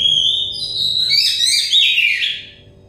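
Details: Oriental magpie-robin of the dakon variety giving a loud, ringing whistled phrase that breaks into rapid warbling and mimicry-like chatter, then trails off; used as therapy to bring stressed kacer into song.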